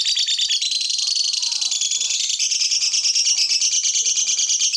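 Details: Lovebird singing to coax other lovebirds into song: an unbroken stream of fast, high, buzzy chattering with an even pulsing rhythm.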